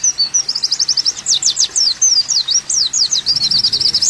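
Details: Olive-backed sunbird song on a cage-bird training recording: an irregular jumble of high, sharp, zigzagging notes, with fast trilled bits and downward slurs mixed together.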